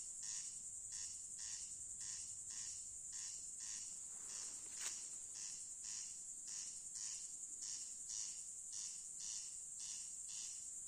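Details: At night a corn crake gives a long, even series of harsh, grating double rasps, one roughly every second. A loud, high, steady insect hum fills the background.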